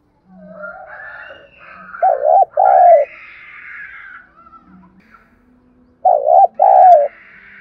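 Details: Decoy spotted dove cooing to stimulate other doves into song, two paired, warbling coo phrases several seconds apart over a background of softer, higher bird chatter.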